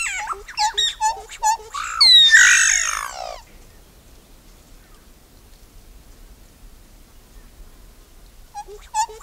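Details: Solitary black cacique (iraúna de bico branco, boé) giving a rapid series of short chattering harmonic notes, then a loud rich descending squawking phrase, followed by quiet and a brief return of chatter at the end.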